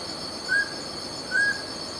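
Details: Mountain scops owl: a pair of brief, pure whistles on a steady pitch, the second following the first by under a second, set against a continuous background hum of crickets.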